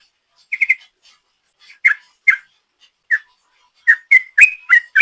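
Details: Sooty-headed bulbul lure song in ropel style: a quick triple whistle, scattered single notes, then accelerating into a rapid run of slurred whistles.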